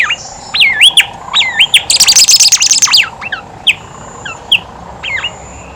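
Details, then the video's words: Song of Horsfield's babbler, played as a lure to prompt lazy birds to sing: loud looping whistled notes that dip and rise, a brief dense burst of high rapid chattering, then short spaced whistled phrases. "BIMOLI/KANCILAN EMAS GACOR COCOK BUAT PANCINGAN BIMOLI MALAS BUNYI"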